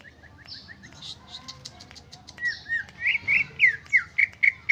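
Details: Greater green leafbird singing in its original voice without mimicked inserts: soft repeated chips at first, then louder looping whistled phrases in a rapid, regular series with scattered high ticks.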